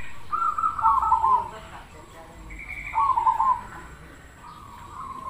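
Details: Perkutut cemani Krosing, a zebra dove, gives soft rolling coos, each a quick trilled phrase of about a second, repeated every two seconds or so, with faint background sounds.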